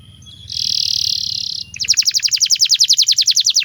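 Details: Canary master song used to train young birds: a steady buzzy trill, then a fast rhythmic run of bright chipping notes repeated several times a second.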